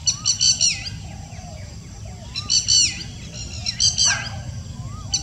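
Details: Evening calls of a fulvous-breasted woodpecker, 23 May 2019. Three bursts of shrill, rapid chattering with falling tails, and soft lower whistles in between, against a constant low background hum.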